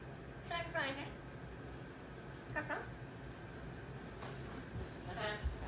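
An African grey parrot babbles in soft, speech-like baby talk, three short mumbled phrases with pauses between.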